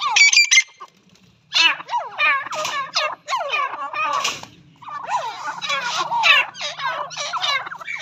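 A partridge calls in loud, shrill, rapidly repeated harsh notes, strung in near-continuous bursts with only a brief pause.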